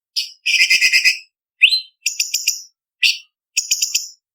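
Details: Master training song of a cucak cungkok leafbird for song contests. A short note opens, then a long rough chattering rattle, a slurred upward whistle and clipped triple-note bursts, all very high and crisp over silence.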